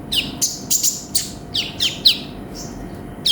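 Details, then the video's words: Konin (sunbird), 'gacor' master song: about six bright, very high notes, each a sharp chip dropping into a brief whistle, spaced roughly half a second apart. "MASTERAN BURUNG KONIN GACOR FULL ISIAN"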